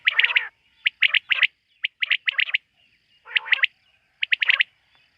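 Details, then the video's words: Night-time quail call: quick bursts of three or four crisp, high, clicking notes, given about once a second, with brief pauses between groups and a quiet background. "Bater ki rat wali awaz ۔۔quail sound of night"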